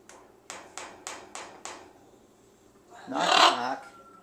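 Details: Captive thirtysomething presumed male ruby macaw, plucked bare on body and legs, recovering in a home; five sharp taps at even intervals, then a loud, harsh, raspy squawk lasting nearly a second.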